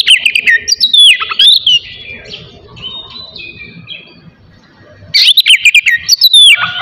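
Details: Oriental magpie-robin morning song, used to provoke aggression and breeding urge in other magpie-robins: loud, varied whistled phrases with rapid sweeps and trills, a quieter middle stretch of softer notes, then another loud burst.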